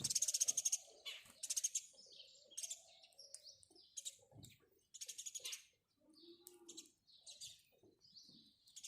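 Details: House sparrows chirping: bursts of harsh, high, rapidly repeated chirps coming in clusters every second or so, with short pauses between and a few lower soft sounds in the background.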